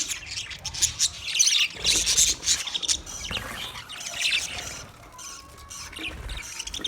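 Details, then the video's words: Budgie chirping: loud bouts of scratchy, high-pitched warbles and squeaks in the first half, fading to quieter, sparser twitters with brief whistled notes later. "sounds of budgies chirping"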